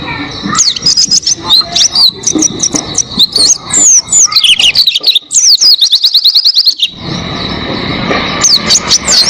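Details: Oriental white-eye in full song, used as a tutor recording for training cage birds: rapid high twittering of thin downslurred whistles in dense bursts, pausing for about a second near the end, with a faint steady hiss behind.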